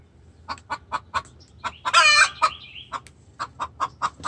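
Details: Hen in distress calling for the rooster, steady clucks about every quarter second broken by one loud raspy squawk mid-sequence, plus faint high chirps.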